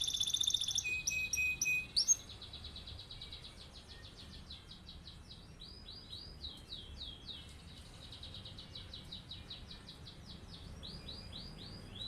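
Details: Canary in rolling song used as a tutor for other birds: loud fast trills in the first two seconds, then quieter repeated chirping phrases fading against background noise.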